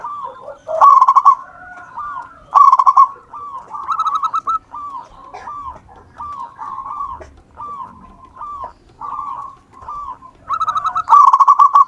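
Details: Local wild zebra dove in full song, used to lure others. Short soft coos repeat rapidly, broken by four loud buzzy trilled phrases. A quiet low background murmur runs throughout.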